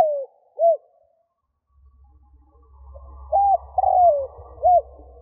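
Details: Spotted dove decoy calling to lure wild doves: a fading coo and a short arched note, a pause, then a three-part phrase of level coo, long falling coo and short upturned note over a low rumbling background.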